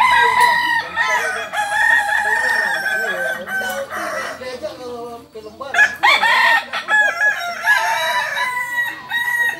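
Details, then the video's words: Kukuak Balenggek rooster, a chicken breed endemic to Solok, West Sumatra, crowing at a training contest: long chains of rapid stacked, slightly wavering harmonic syllables, with music, clapping and laughter from the crowd around. "latberan ayam kukuak balenggek(akb)"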